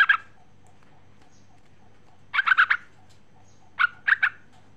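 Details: A female sooty-headed bulbul calls for a male, giving clipped bursts of three or four rapid, liquid notes that repeat roughly every one and a half seconds over a quiet low hum.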